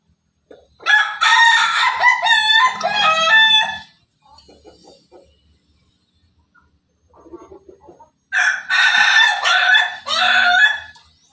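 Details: Pelung chicken crow heard twice: rich, wavering harmonic calls about three seconds long, separated by a quieter stretch with faint murmuring sounds.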